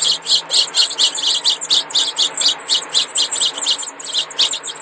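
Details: Four young house finch chicks, too young for the males to show red breasts. They give a continuous chorus of high, thin, squeaky calls repeated rapidly and overlapping, with no pauses.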